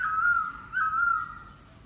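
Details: Laughingthrush song: one sustained, slightly wavering whistle held steady, briefly broken, then resumed and fading away.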